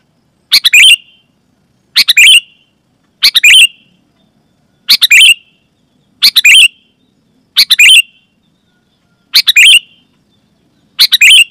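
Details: Sooty-headed bulbul repeating a loud lure call that is supposed to set other bulbuls singing: eight bright, choppy double bursts at a fairly even rhythm, about one every 1.3 seconds, otherwise silent.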